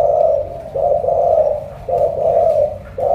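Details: Spotted dove from Cà Mau, Vietnam, giving a deep 'thổ cọp' style coo likened to a pigeon's: low, rounded cooing notes in grouped phrases, with short pauses between them.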